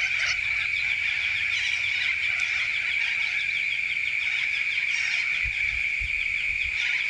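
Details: Corellas recorded in the Grampians, Victoria, Australia: a dense, continuous chorus of shrill, screeching calls from many birds, forming a steady high wall of sound with some louder harsh squawks rising out of it.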